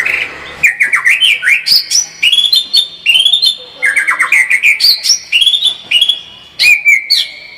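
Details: White-rumped shama pouring out varied song: quick loops of upswept and downslurred whistles, bursts of short high notes, and clear sustained tones, delivered almost without pause.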